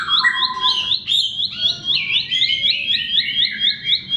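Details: Bar-winged prinia singing as a lure for silent birds: bright repeated high chips, about two to three per second, alongside a couple of long level whistles early on.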